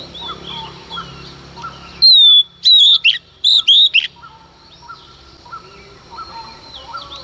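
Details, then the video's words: Early-morning female Oriental magpie-robin, singing to rouse males: a long sweeping whistle, then four loud, clear notes in quick pairs, surrounded by faint background bird chirps. "Choè than mái hót kích trống hót căng sáng sớm"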